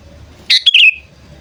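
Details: Sooty-headed bulbul call played to lure wild birds, a brief burst of a few bright, chirpy notes that runs into a short whistled tail, with soft low rumble around it.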